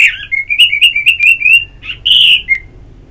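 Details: Singing orange-headed thrush, from a ngeplong therapy to stimulate song: a rapid chain of about eight ringing notes on one pitch, then a richer warbled phrase and a short final note.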